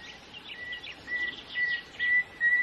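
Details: Common nightingale singing at Pitehno village, Hezarjarib, eastern Mazandaran, Iran: a run of pure, level whistled notes, each swelling louder, about every half second, with faint higher twitters over steady outdoor hiss.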